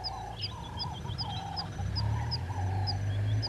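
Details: Three-banded plovers at Gowrie dam waterhole, Djuma Game Reserve, Sabi Sand, South Africa, 08:35, 05/06/20: thin, high, rising whistled notes about twice a second, over a lower warbling bird and a steady deep rumble.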